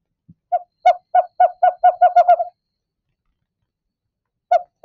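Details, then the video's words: Western screech-owl, a species that roosts in tree cavities at the same spots nightly, giving its bouncing-ball song: about ten short hollow toots speeding up toward the end, then a single toot after a pause. "Here's the song of a screech owl."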